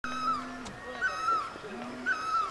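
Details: A barbet beside the road between Pelling and Gangtok, Sikkim, gives loud, ringing, slightly wailing notes that dip and rise, repeated about once a second, over a low steady hum.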